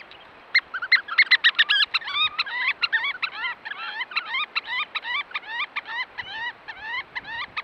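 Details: Roosting oystercatchers give loud, shrill, piping notes in a rapid, uneven stream, about two or three a second, with several birds overlapping.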